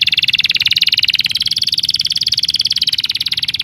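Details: Bird chirping in a fast, even, high-pitched trill of rapid pulses, held steady throughout without a break.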